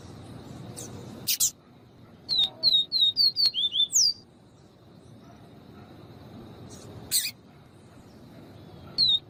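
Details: Double-collared seedeater singing the viviti song, presented with a female calling to excite the male: one quick run of seven downslurred whistles closing with a rising flourish, then a lone note. Sharp clicks sound before and after, over a constant high whine.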